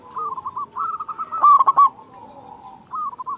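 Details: A local zebra dove, a loud and frequent caller, serves as a lure to get doves calling. One sharp group of three pulses sits amid continuous soft rolling coos from other doves.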